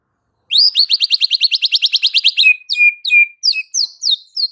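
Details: Frequently singing white-rumped shama whose song is meant to provoke fighter males: a fast even trill of about twenty sharp notes, then slower separated whistles and downslurred notes.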